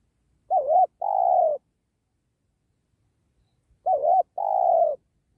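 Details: Tekukur, the spotted dove, calling during trapping by a sacred tree; two identical phrases about three seconds apart, each a wobbling short coo then a sustained, slightly sinking note, with silence between.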